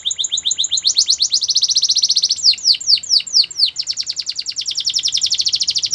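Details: Canary training song: a run of rapid high pips becomes a long, fast, even trill. A handful of steep down-slurred notes follows, then a quick rattling trill resumes to the end.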